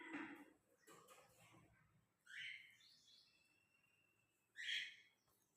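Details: Three cockatiel chicks, lutino and albino, give harsh, raspy rising calls in short bursts after a person speaks briefly.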